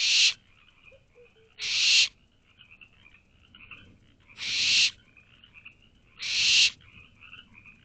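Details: Owlets of the barn owl in a nest box at night, 24 May 2023, waiting for food from their parents: four broad, harsh hissing screeches, each under half a second, separated by quiet gaps with faint chatter.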